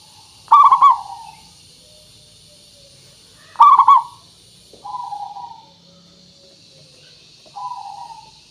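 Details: Zebra dove, a local perkutut used as a lure to prompt singing, repeats a loud rolling trill of quick coos twice about three seconds apart, each trailing into a softer drawn coo.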